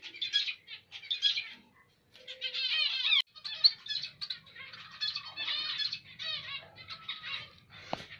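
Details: Indonesian zebra finch, emprit Jepang, giving separate buzzy bursts, then a longer rising series of nasal stacked notes and chatter, followed by a faint low rumble.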